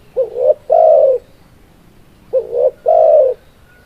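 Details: Spotted dove (tekukur) cooing: two identical phrases about two seconds apart, each a short soft coo followed by a longer, steady, hollow coo, low-pitched over quiet background.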